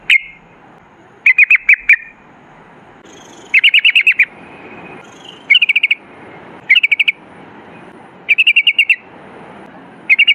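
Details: Sooty-headed bulbul in lively 'gacor ropel' style, used as a lure to make other bulbuls sing: short bursts of five or six rapid, bright chattering notes, repeated every second or two over a faint hiss.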